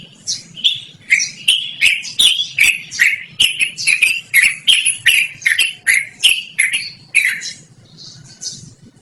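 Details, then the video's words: Yellow-vented bulbul in extended rolling song, praised as loud and sweet and suited to luring or tutoring caged birds; a brisk series of harsh chattering notes slows and fades, ending in softer scattered calls. "BURUNG TRUCUKAN GACORR NGEROL DURASI PANJANG"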